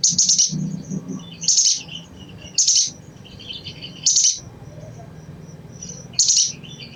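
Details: A crimson sunbird's chattering call, given to trigger singing in other sunbirds: five bursts of sharp, very high chips, some doubled, roughly every one to two seconds, with thin twittering between and a low hum.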